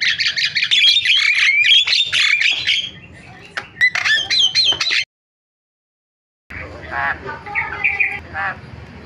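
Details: Starling lure sound to make other starlings call: loud scratchy chatter and squeals for about five seconds, a short silence, then softer broken rasping notes and squeaks.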